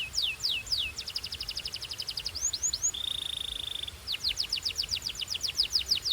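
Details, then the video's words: Belgian-style canary song of repeated downward-sweeping whistles, a quick run of short notes, a flat sustained tone lasting about a second, then another series of sliding whistles over a faint background hiss. "This Canary’s Melody Makes All Birds Join In – Pure Belgian Singing"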